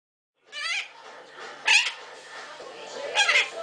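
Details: Illiger's macaws dancing; one gives three harsh, grating squawks, each about a quarter-second long and roughly a second apart, with a low background murmur between calls.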